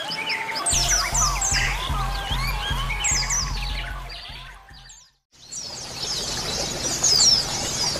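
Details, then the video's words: A colony of female and male white-eyes (pleci) chatters together in thin, high twittering and sweet rapid phrases, over steady music tones and a low hum. "koloni pleci betina dan pleci jantan dan suara terapi pleci"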